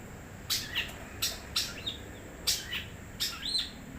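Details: Wild long-tailed shrike singing: scattered sharp high chirps and short slurred whistles, some sweeping down and others rising, spaced irregularly about every half second over a steady high hiss and low background rumble.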